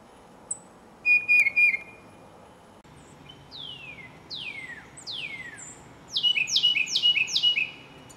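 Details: Tufted titmouse song: clear whistled notes slurring downward, then a quick run of repeated two-part 'peter-peter' whistles, after an earlier sharper chattering burst; a listening Carolina wren joined in with its own song.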